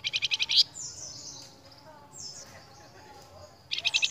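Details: Flamboyan bird singing actively, a lure song for cage birds: a rapid buzzy pulsed burst, then thin high descending whistles, and another pulsed burst at the end.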